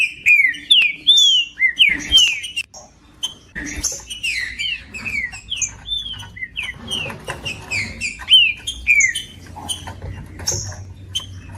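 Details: Slurred, downward-sliding whistles of a green-winged saltator, sung to warm up a cold bird, come in quick succession among scattered higher chirps, with a short quiet gap after the opening bursts.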